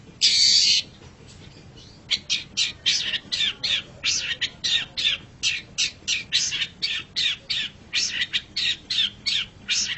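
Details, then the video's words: Long-tailed shrike master song for pet bird training: one long harsh screech opens, then after a pause a fast, steady series of short, scratchy chattering notes, about three per second. "MASTERAN GACOR - Suara Burung Cendet"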